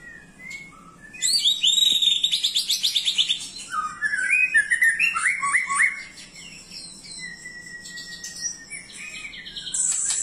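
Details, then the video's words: White-rumped shama song opening with a fast, rattling high trill, then rich slurred whistles and sweeping phrases, ending in thin high notes, with a constant shrill background tone. "BURUNG MURAI"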